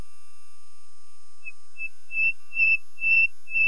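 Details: Pure, high whistles from a common nightingale, six notes on one pitch that swell steadily louder and longer, a slow crescendo with no other sounds.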